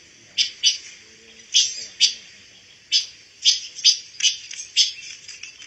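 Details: Pancawarna bird, a songbird kept as song material for training white-rumped shamas, singing in short bright chirped bursts about every half second to second, with brief pauses between phrases.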